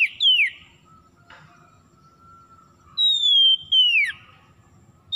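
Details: Oriental magpie-robin (kacer) lure meant to make stressed, non-singing birds sing: a drawn-out, gently falling whistle ending in a downward slur, then a brief higher note, with faint background hum.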